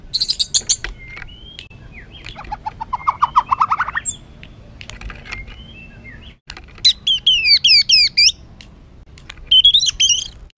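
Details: Agitated white-rumped shama song used to provoke other birds into excitement: sharp clicks, a fast descending rattle-like series, harsh chatter, then a cascade of high downward-sweeping whistles.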